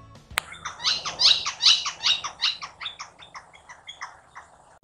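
Northern Flicker giving a sustained laughing series of loud, even notes, about two or three per second, fading toward the end.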